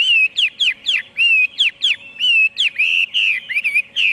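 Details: Chinese hwamei singing bright, loud whistles that alternate steep swooping notes with smoother wavering ones, closely spaced in a lively, continuous stream.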